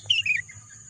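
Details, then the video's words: Bird chirping in lush green surroundings: a bright whistled note sliding into two quick descending twitters, against a faint continuous insect whine. "bunyi kicauan burung"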